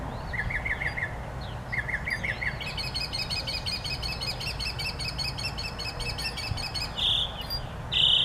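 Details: Wild birdsong outdoors: short bursts of quick chirped notes, then a long series of rapid high twittering phrases and a few harsh scratchy notes, over steady low rumbling background noise.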